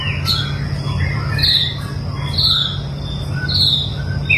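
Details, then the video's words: Long-tailed white-rumped shama during mental training gives short sharp whistled notes repeated roughly once a second against a loud low hum. "melatih mental burung murai batu ekor panjang"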